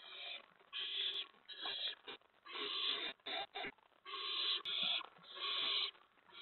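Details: Owls at a nest on April 19, 2017, around 8 PM, with food being brought to the owlets. Uneven raspy hisses, some long and some clipped short, are mixed with scraping knocks.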